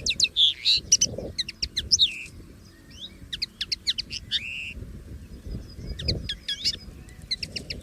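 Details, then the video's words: Common linnet singing free in the wild: quick runs of bright chirps, short trills and twittering notes in bursts, with pauses between phrases and faint low rustling underneath. "CANTO DO PINTARROXO Comum LIVRE na Natureza!!!"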